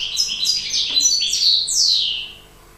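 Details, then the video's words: Goldfinch song in the breeding season: a rapid string of high, liquid, twittering notes ending in a long descending slur. "KUKULJAŠ U Parenju,,,Stiglic,Grdelin, Stieglitz, Goldfinch, Cardellino, Chardonneret, El jilguero,"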